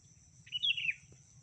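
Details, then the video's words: Female sooty-headed bulbul calling to the male, used as a lure sound: one short bubbly phrase of about half a second that steps up, then slurs downward, over a faint steady high whine and low rumble. "Suara Asli Pikat Kutilang Betina Memanggil Kutilang Jantan"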